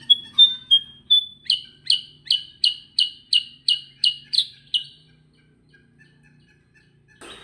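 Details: Sooty-headed bulbul, the kutilang sutra type, in continuous 'gacor ngerol' song: several thin level whistles, then a fast even run of about ten bright chipping notes, then silence.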